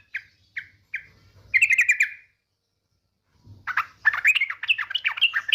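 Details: Yellow-vented bulbul female calling the male, sung as a lure: three short chip notes, a brief buzzy trill, a pause, then lively jumbled chattering and warbled notes.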